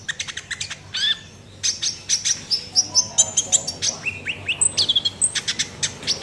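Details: Sunbird in vigorous, full 'nembak' style song: a rapid run of sharp high chirps, short trills and thin rising and falling whistles packed closely together, with brief pauses between bursts and faint low background rumble.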